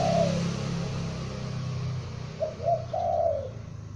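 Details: Calling juvenile spotted dove used for luring: a coo phrase fading at the start, then a full phrase of two brief soft notes and a long falling coo, over a low rumbling background hum.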